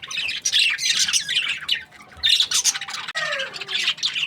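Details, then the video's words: Breeding-season budgerigars chatter in two loud bursts of scratchy high warbling, each ending before a softer falling whistled note. "Happy budgies chirping sounds | breeding season"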